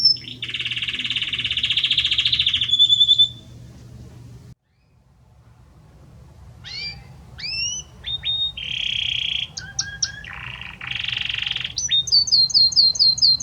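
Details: Male Belgian canary singing at length to its female: a long buzzy trill, a pause, then varied short whistles, buzzes and rapid chirping phrases.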